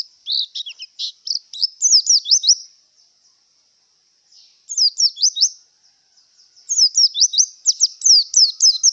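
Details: Three bursts of quick, high, sweeping twitters from a Javan white-eye in breeding condition, each run of slurred notes lasting one to two seconds with short silences between.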